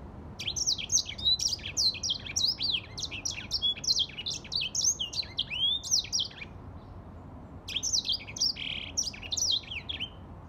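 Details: A grey singing finch pours out bursts of quick, high twitters and slurred whistles, breaking off briefly after about six seconds before resuming with buzzy, trilled notes.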